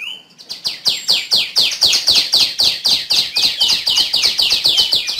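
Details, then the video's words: Continuous quick chirping from a female tiểu my: sharp, high, downward-sweeping notes repeated roughly four times per second with steady rhythm throughout. "tiếng chim tiểu my mái"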